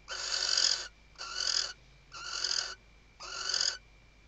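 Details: Nesting female Western barn owl, Riet Vell Nature Reserve, Ebro Delta, Tarragona, Spain, 2023 season, calling the male while stuffing the nest: four rapid harsh screeching hisses about one per second, captured by nest camera with a steady faint tone.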